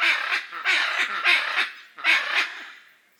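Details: Raucous calling from Hyacinth macaws, the largest parrot, native to Brazil: a quick run of overlapping grating screeches in two bursts, fading out at the end.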